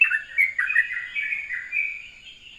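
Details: Sooty-headed bulbul in the morning, singing a flowing ropelan-style song: continuous warbled, slurred whistles running together without pause, clear against a quiet background.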